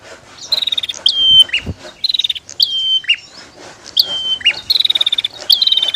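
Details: Female and male bar-winged prinia in a calling exchange: rapid rattling buzzy trills alternate with bright downward whistle notes and clipped chips, repeated several times; a brief low thud near the start.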